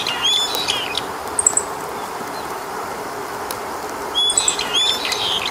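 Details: Eastern buzzard parent visiting its nest in a willow in riparian forest, Japan, to feed chicks, on a sunny early-June 2019 late afternoon around 18:30: thin, high, squeaky whistled notes in two short bursts several seconds apart, over steady hiss.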